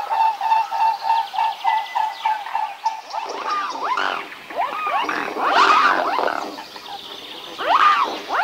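Swans calling: a steady run of nasal honks, about three a second, then several birds break into overlapping, rising-and-falling bugled calls.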